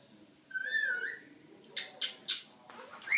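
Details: A cockatiel sings to a Havanese dog with one clear whistled phrase that dips and rises, followed by three sharp rasping chirps about a quarter second apart and a final upward whistle.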